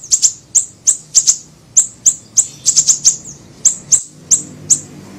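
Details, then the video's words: Siri-siri bird lure recording: a lively series of thin, very high chips, mostly single, with a few doubles and triples, spaced about a quarter to half second apart. "PANCINGAN PIKAT SUARA BURUNG SIRI SIRI KECIL"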